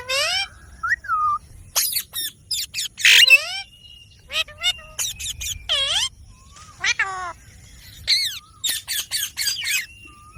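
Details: Pet green ringneck parrot talking: a run of loud, harmonic, speech-like bursts and falling whistled notes in quick clusters, with short pauses, ending in a fast series of sharp syllables.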